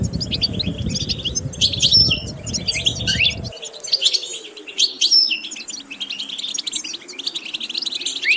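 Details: Song of a European goldfinch for training other birds: quick chattering twitters and a couple of thin high whistles, with low rumbling noise during the first few seconds before clearing.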